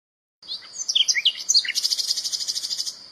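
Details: Common nightingale singing in the wild, a song said to mark territory or attract females: a few varied slurred whistles, then a fast, even trill of repeated buzzy notes, about three per second.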